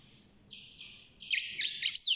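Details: Young caged European goldfinch, six months old, just starting to sing, gives a short burst of buzzy, rasping notes that build into a few brighter tinkling chirps.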